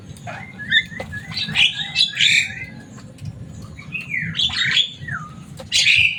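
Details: Pet Javan myna, a loud, noisy species that can imitate speech, producing grating squawks, a falling slurred whistle and bursts of raspy chatter, over a faint steady hum.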